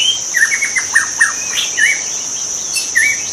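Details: White-rumped shama in the wild: a series of quick descending chips followed by short whistled slurs, over a persistent shrill insect drone.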